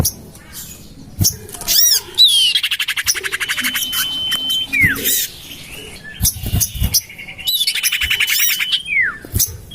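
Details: Common iora lure call for attracting birds, tried in a garden beside a house: long steady high whistles ending in falling slurs, mixed with harsh squawks and rapid buzzy chattering bursts.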